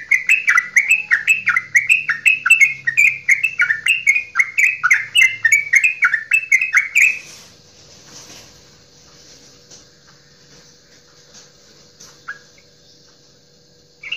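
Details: Straw-headed bulbul, a local Javanese bird, giving a long loud song meant to stir other birds into singing: a rapid run of rich warbled notes around seven seconds, then quiet with faint distant chirps.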